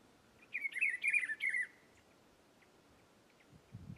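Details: Rufous-browed peppershrike singing in Rio Grande do Norte, Brazil: a single rich, rolling warbled phrase of tumbling whistled notes, then near silence with faint distant chips.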